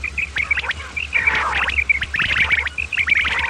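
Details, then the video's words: Common quail calls of males and females, meant for luring quail: quick bright notes repeated rapidly amid tangled chattering from several birds, with a faint low hum. "Batair ki Awaz bima kirak / quail sound effect | batair karik"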